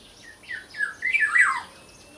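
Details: Small local black-naped oriole: three short rising notes leading into a loud, rough, downward-sliding squawk lasting about half a second.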